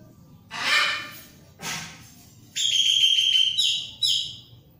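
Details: Orange-headed thrush singing two short harsh bursts followed by a clearer whistled, steadily held phrase that breaks into quick repeated notes near the end, over low hum.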